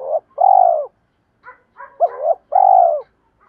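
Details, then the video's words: Spotted dove, a decoy bird calling to lure wild doves and challenge rivals: a short coo, then long warbling mid-pitched coos and a quieter clipped phrase, repeated in a clean, quiet recording. "tiếng chim cu gáy thúc đấu và gáy gọi, chim cu mồi gáy gọi bổi"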